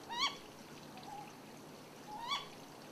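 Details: Ryukyu scops owl on Yonaguni, recorded for its male and female calls: a sharp rising 'kyo' note, a soft low hoot, then a second rising note two seconds later.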